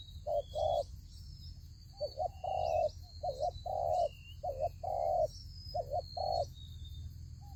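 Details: Decoy spotted dove calling in a trap set to lure wild doves. Repeated phrases of a quick double coo followed by a long, even coo, about once every two seconds, over a constant high insect drone and scattered bird chirps.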